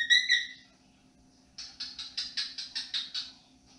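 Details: Pet cockatiel, hatched in 2022, whistling indoors in the evening: two clear harmonic whistled notes, a pause, then eight buzzy chirps repeated about every fifth of a second.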